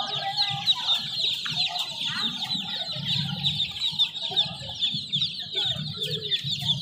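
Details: A crowd of chicken chicks keeps up a constant, high-pitched peeping, the notes short and jittery, over an uneven low rumbling hum and occasional soft knocks.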